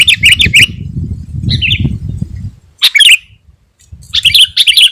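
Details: Sooty-headed bulbul song used to lure wild birds and provoke rivals: short bursts of bubbly, chattering notes separated by pauses, with low rumbling background noise.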